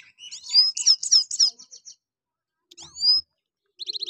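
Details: Himalayan goldfinch (Carduelis caniceps) singing at Parachinar in 2022: a bright, high twittering run of quick liquid notes and trills, breaking off briefly before another rising whistle and a fast buzzy trill.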